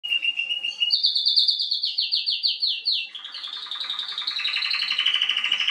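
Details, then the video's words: A canary in Remscheid, NRW, Germany, on 26 June 2021, sings a nightingale-like song: a brief high whistle, then a fast series of bright repeated notes shifting into a rich, very high warbling trill. "Canary can sing the nightingale."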